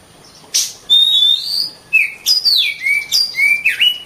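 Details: Oriental magpie-robin in vigorous song: a sharp note, a sustained slightly rising whistle, then a falling slur and a series of level low whistles, each with a short upturn at the end.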